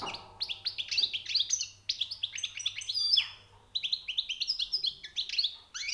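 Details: European goldfinch song from a newly caught bird: rapid liquid twitters, tinkling trills and nasal buzzes run together in long bursts, with a short pause midway and a faint low hum.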